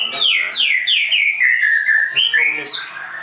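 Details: Leuser White-rumped shama kept at a songbird school in Tangerang, Indonesia: a quick series of loud, clear whistles, each sliding downward, about five in a row, then rising upswept notes and a higher whistle to finish.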